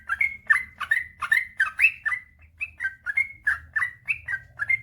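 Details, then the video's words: Chattering sooty-headed bulbul male in energetic 'gacor' long-run song meant to prompt reluctant birds to sing: rich gurgling whistles, each note dipping then rising, delivered in a steady stream with a soft hum beneath. "suara burung trucukan gacor ropel panjang"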